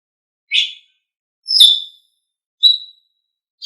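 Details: Asian pied starling, from a tutor recording meant to train pet songbirds: short separate whistled notes, some slurred and some clipped, spaced about one second apart against silence.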